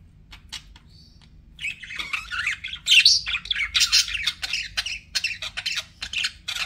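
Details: Pet budgerigars: a few faint clicks and a short high whistle, then loud, busy scratchy chatter of rapid chirps and warbles to the end, low hum beneath.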